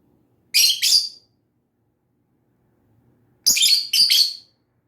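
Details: Lovebird making paired harsh, high chirps: one double chirp, a silent gap of about two seconds, then two more doubled chirps in quick succession.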